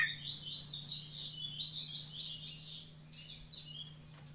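Green-winged Saltator in a busy run of bright, high chirps and warbled notes, about four a second, over a steady low electrical hum.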